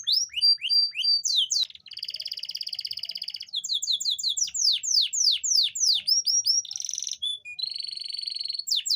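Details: Continuous canary song to stimulate females that are hard to mate: alternating buzzy trills, rapid falling sweeps and clear flat whistles, varied tours following one another without pause.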